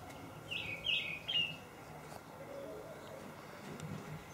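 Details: Olive thrush call: three short, thin, high notes in quick succession, then quiet background with a faint low hum.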